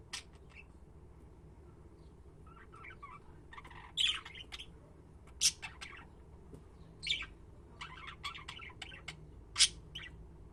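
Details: Budgerigars giving scattered sharp chirps and brief chattering runs, with several loud clicks standing out against a steady low hum.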